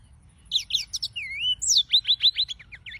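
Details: Serinus mozambicus song, a quick jumble of high twittering notes, a smooth dipping whistle, then a fast series of sharp descending chips repeated about six times.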